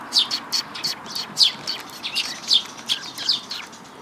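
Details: A group of sparrows at a Tenmangu shrine, recorded 5 May 2022. Sharp, high tweets are repeated roughly once a second at an irregular pace. The notes vary slightly in loudness, as if from more than one bird.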